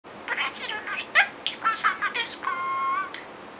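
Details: Pet budgerigar, taught a comedian's catchphrase gag around the time of the Brazil World Cup and nearly mastered it, sometimes garbling words; high, thin speech-like mimicry in quick syllables ending in a held, flat, buzzy vowel, indoors.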